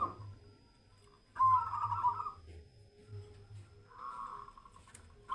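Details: Zebra dove (local perkutut) in a mental test, delivering two rolling, vibrating coo phrases separated by a pause of over a second, against a constant low hum and a thin high tone.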